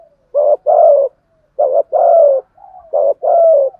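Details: Rhythmic coos from a spotted dove used for luring and provoking other doves. Three couplets, each a short rough note then a longer, steady, husky coo, with soft murmured notes in the gaps.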